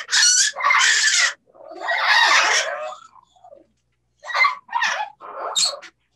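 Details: Two captive parrots at a bird safehouse vocalizing to each other: loud harsh squawks and longer raspy, voice-like phrases in several bursts with brief pauses.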